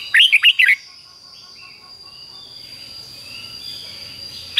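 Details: Red-whiskered bulbul, doubled "beun" song style called fig-jig-fok, played to teach young birds; an opening burst of four quick warbled whistles, then quiet background with a steady hum and a note cut off at the end.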